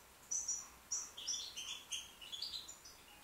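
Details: Young white British goldfinch in song, a short run of high, chirpy notes, clear whistled pips followed by quick liquid twittering, about six notes a second.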